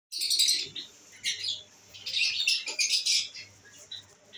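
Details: Pet lovebirds, albino red-eyed birds, kept indoors and enjoying the day; bursts of high, harsh chattering chirps in two clusters with short gaps between, over a faint low hum.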